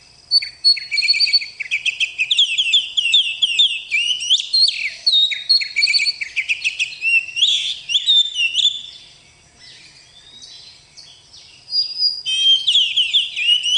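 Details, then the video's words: Active gacor song of a bakalan oriental magpie-robin kept in captivity: dense, rapid series of sweet whistles, trills and chattering notes, a short lull past the middle, then renewed loud phrases. "Kacer Gacor"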